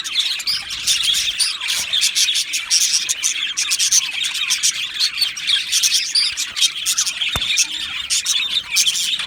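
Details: Many Australian budgerigars in an aviary colony, 12 July 2025, chattering without a break. Quick, clicky chirps and thin whistles pile up into a dense, high, buzzing chorus, with one sharp tick partway through.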